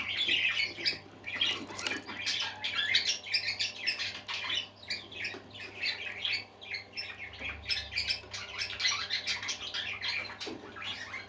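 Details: Happy indoor budgerigars chatter without pause, a rapid stream of harsh squawks, squeaks and buzzy warbled notes rising and falling in volume, over a low continuous electrical hum.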